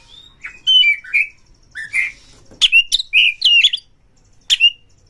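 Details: Oriental magpie-robin singing quickly to provoke rival magpie-robins: rich whistled slurs and warbles, several sharp cracking chips, phrases spaced by brief silences, with a faint thin steady tone in the background.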